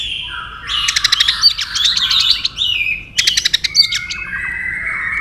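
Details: Tail-flicking white-rumped shama sings competitively: two long bursts of rapid, rattling stuttered notes layered over whistled tones, separated by a short pause, then a sustained lower whistle.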